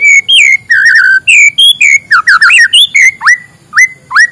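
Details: White-rumped shama morning song, used as a prompt for reluctant singers: varied clear whistled phrases with wavering slurs, then several sharp upward-sweeping whistles spaced about half a second apart.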